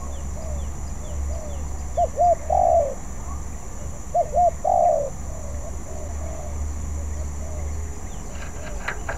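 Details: Young spotted dove practising, not yet skilled, giving two phrases of paired short coos ending in a drawn-out coo, then quieter trailing coos and a brief clatter near the end; faint high hum throughout.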